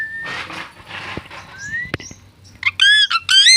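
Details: Talking parrot giving a thin rising whistle, then breathy noisy sounds and a sharp click, ending in loud nasal, voice-like syllables repeated quickly.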